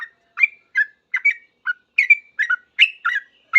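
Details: Yellow-vented bulbul singing loud and fast in reply to another bulbul, in noisy 'ropel' style. Tight bubbly chirps come two or three per second, some slurred upward.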